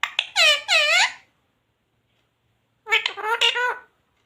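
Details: Talking parrot indoors: two loud harmonic, speech-like phrases with arching pitch, separated by about two seconds of silence.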